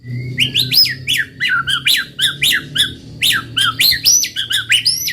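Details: White-rumped shama, a caged bird in vigorous song, pouring out a continuous rhythmic stream of sharp rising whistles and scratchy chips, each phrase repeated quickly with little pause; a faint low hum underneath.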